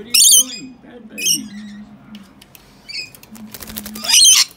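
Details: Two wild rescued baby rainbow lorikeets, caged, bathing in their drinking water; two loud harsh screechy bursts at the start and end, fainter squeaks between, with a person talking quietly throughout.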